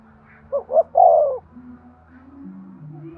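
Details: A single cooing phrase from a spotted dove, used to stimulate breeding: two short hoots run into a longer, falling coo, followed by quiet.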